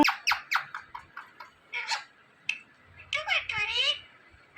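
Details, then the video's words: Indian ringneck parakeet kept indoors, talking: a run of short clipped syllables, then harmonic-rich warbled phrases with rising and falling tones, one person speaking. "Indian Ringneck Parrot Talking Videos"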